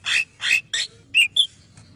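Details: Male cucak kinoi bulbul singing clearly for training: two broad harsh notes followed by three sharper, higher chirps in about a second and a half.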